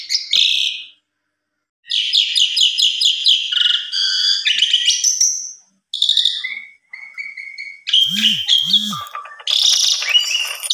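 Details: Asian pied starling (jalak suren) singing in an agitated way against a rival: rapid rattling bursts, steady whistled notes, harsh buzzy phrases and two low croaking notes, with short pauses.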